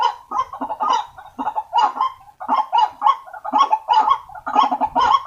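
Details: Lure recording for attracting waterhens, a White-breasted waterhen giving rhythmic, harsh, nasal croaks in pairs and triplets, about one phrase per second, with clean pauses between bursts.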